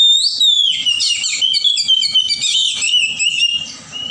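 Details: Forest-dwelling wild Oriental magpie-robin in loud, continuous song, mixing sliding whistles, rapid chattering trills and sweet warbles. The run stays unbroken for about three and a half seconds before a brief rising note, with a faint low hum underneath.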